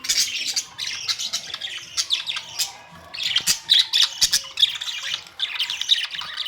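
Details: Budgerigars calling on May 2, 2023: clicky chirps and sharp ticks in quick series, then a louder stretch of squeaky warbling from many birds together.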